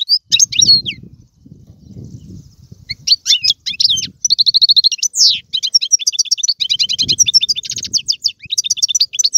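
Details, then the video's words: A goldfinch of Algerian singing stock delivers tiwawati and serfati song, opening with a few chirps over low rumble, then fluent twittering, drawn-out buzzy notes and rapid rattling trills. "مقنين طيواواطي قالوبي و سرفاتي, هذا الحسون ليس له مثيل"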